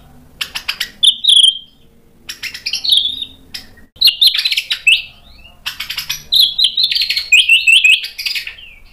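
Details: Energetic White-rumped shama song meant as a lure to make other birds reply: loud, chattering bursts of sharp, rich notes and twisting whistled phrases, broken by short pauses, delivered fast and varied.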